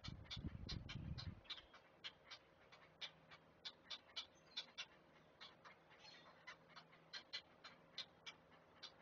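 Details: At a Chesapeake nest on a live camera, great blue heron chicks being fed give dry, rapid clacking ticks, nearly four per second, after an opening burst of low rumbling noise.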